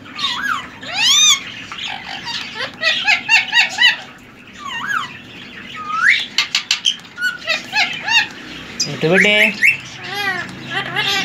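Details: Semi hand-tamed male ring-necked parakeet, three years old, chatters through a long stream of curling whistles, harsh squawks and quick clicks, with a person's low voice cutting in near the end.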